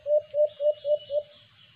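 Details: White-eared brown dove (alimokon) recorded during a cage-trap bird hunting attempt: five short, rising hooting notes around mid pitch, evenly spaced about a quarter second apart, over a faint low rumble.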